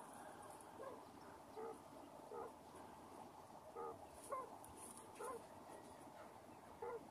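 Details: Broody quail hen with her chicks: soft, low, short clucking notes repeated irregularly, about one each second, over a steady faint background hiss.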